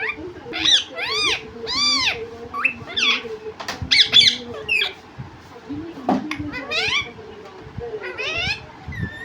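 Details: A talking parrot that says 'mummy papa' produces a run of speech-like phrases. They are made of rising and falling harmonic arcs in quick succession, with short squeaky notes, over a faint steady hum.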